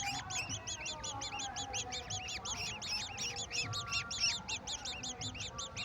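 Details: Young golden orioles being fed a mantis by a parent, giving dense streams of sharp, up-and-down chirps, several voices overlapping in a fast, unbroken chatter over faint low hum.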